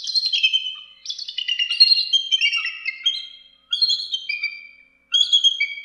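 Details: Bald eagle giving thin, high squealing calls: three drawn-out strings of wavering, slightly descending whistled notes separated by brief pauses.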